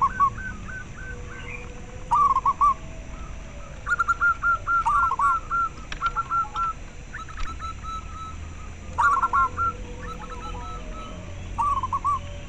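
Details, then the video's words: Local zebra dove cooing, used to stimulate breeding drive in captive doves and as a trapping lure. Phrases of quick, staccato, mid-pitched coo notes repeat with pauses, some fainter overlapping phrases, over a low steady hum. "Perkutut lokal suara ampuh untuk merangsang terapi masteran dan ahli pikat"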